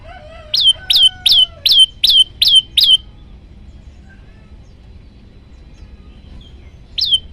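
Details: Olive-backed tailorbird master training song with variations. A rapid run of seven loud, bright downslurred whistles, about two per second, with a softer lower whistle at the start, then silence and a single closing note.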